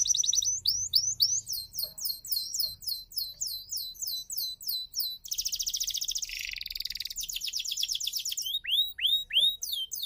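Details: Energetic F1YS canary song meant to coax silent canaries into singing: rapid series of high descending whistled notes, a dense rolling trill in the middle, then a few looping upslurred notes.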